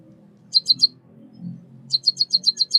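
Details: Three rapid high chirps, a short gap, then a faster run of seven from a White-headed munia (Lonchura maja) native to Southeast Asia, with low hum underneath.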